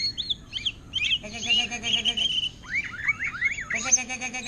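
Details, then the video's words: Greater green leafbird kept in a cage, singing in the manner of an orange-headed thrush: sharp, bouncing upslurred whistles and chirps in quick succession, partly overlapped by human voices. "Cucak Ijo Ngentrok Gaya Anis Merah"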